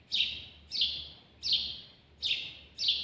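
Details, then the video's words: House sparrow singing at close range: a steady series of five bright, slightly descending chirps, each a short burst spaced roughly 0.7 seconds apart, with little else heard. "تغريد جميل لطائر الدوري في اقرب صورة (الجاوج)"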